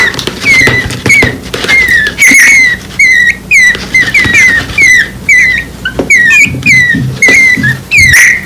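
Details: Orphaned baby birds, fewer than seven days old, beg from a nest fallen from a cut palm tree. High, thin, slightly falling cheeps come in a steady stream, some doubled, over soft knocking and handling noises.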